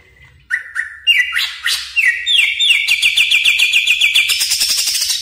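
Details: Greater green leafbird lure sound for training birds: a few level whistled notes, then stepped rising whistles breaking into a fast, even trill that climbs higher and continues to the end.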